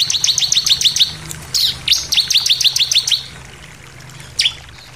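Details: Bar-winged prinia delivering an insistent 'nembak' song: quick, stuttering series of bright high notes in two phrases, then a single downward sweep after a pause.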